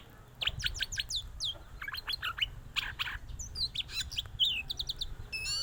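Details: White-rumped shama singing sweetly while bobbing, a rich rapid run of varied whistled notes, sweeping slurs and sharp chips, high and tumbling without pause, over a low background rumble.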